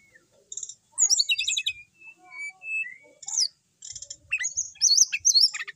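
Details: Brown-chested jungle flycatcher kept as a cage bird and singing persistently, delivering jumbled high twittering trills, clear mid-pitched whistled notes, then a rapid run of sharp, zigzagging high phrases toward the end.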